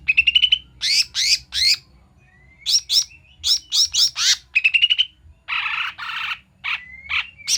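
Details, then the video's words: Cucak mini bulbul recording played as a lure for catching birds: bursts of sharp high chirps and rapid trilled stutters alternate with raspy notes and a few thin rising whistles, with brief pauses between phrases. "untuk pikat dan pancingan burung cucak mini/koto"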